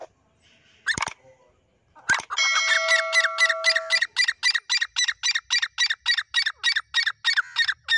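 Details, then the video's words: Partridge, Irani teetar, during a fight: two sharp notes, then a long run of harsh repeated calls about four per second, with a steady whistled tone running underneath for a couple of seconds. "teetar ki awaaz teetar ki ladai ki video"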